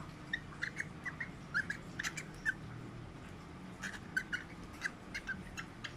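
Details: Several albino (whiteface lutino) cockatiels give short, squeaky chirps in quick irregular bursts while mating.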